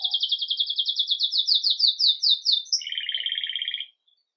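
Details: Belgian canary, agate red mosaic, starting the day lively with Campainha-style song, recorded live: a fast train of clipped high notes gliding slightly downward, a brief upswept note, then a lower buzzy rolled trill ending after nearly four seconds.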